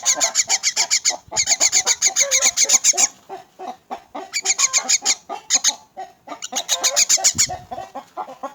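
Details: Orphaned and crippled myna at feeding time, calling loudly in rapid bursts of harsh, rasping notes, several a second, broken by short pauses, with handling noises in between.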